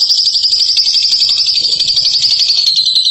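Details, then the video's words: Champion bird in ngekek song, a nonstop shrill chatter of very fast repeated notes, steady and high, lasting the whole three seconds with faint background noise only. "INI DIA JAGONYA NGEKEK"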